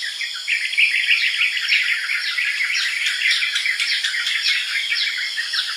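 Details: Lively chirping of yellow-vented bulbuls, with quick clustered downslurred notes and bubbly chatter that grow busier midway, backed by a constant high-pitched insect drone.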